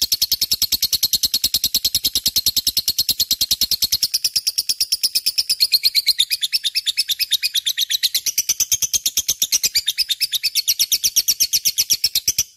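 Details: Gacor lovebird song, a long unbroken stream of quick buzzy chirps with high, sharp notes. The pitch wavers slightly up and down over about twelve seconds, with no other sounds.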